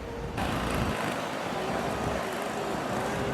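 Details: Steady roar of road traffic in San Jose, Costa Rica, starting abruptly and continuing as a dense broadband rumble, with no animal calls heard.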